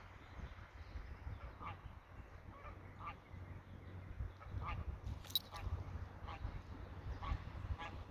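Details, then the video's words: Greylag geese honking faintly at a distance, short nasal calls spaced irregularly across eight seconds over a steady low rumble of wind or background noise. "Graugänse, Greylag geese"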